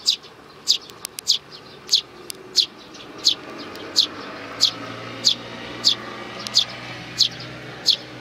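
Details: Sparrows with nestlings, recorded on 8 May 2019: a steady series of thin, high chirps, about thirteen sharp notes in eight seconds at uneven spacing, over a faint low hum.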